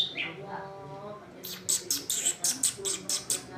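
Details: Scolding greater green leafbird reacting to sudden cloudy weather: after brief speech, sharp high chips repeat rapidly, about five per second, in an even, insistent series.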